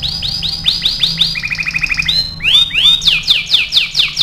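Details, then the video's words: Caged canary singing for training: a rich rolling chain of quick descending whistled notes, a faster lower trill mid-phrase, then loud bright sweeping syllables repeated in rapid succession. "MASTERAN KENARI AF GACOR"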